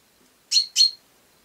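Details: House sparrow giving two loud, harsh chirps in quick succession, each a short burst of high, scratchy sound, against an otherwise silent background.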